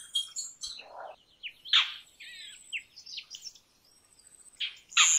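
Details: Harsh, broad rasping calls of an Indian roller at about two and five seconds, mixed with busy chirps, warbled phrases and whistles from other birds.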